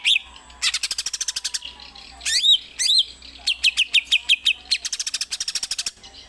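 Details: Greater green leafbird at home, singing its Gereja Tarung song variation: rapid pulsed trills, looping whistled notes and a run of quick repeated chips, all high and bright in a quiet room.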